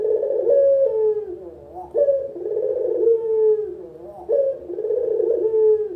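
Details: Four purring coos from a local puter collared dove used for luring and song training. Each begins with a bright upward lift and drops into a long, wavering, descending roll, the phrases running almost without pause.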